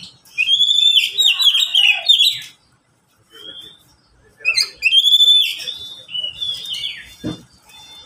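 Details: Oriental magpie-robin in a cage among three pet birds answering each other, giving two bursts of rich, rapid whistled and trilled phrases separated by a quiet gap, with a faint thump near the end.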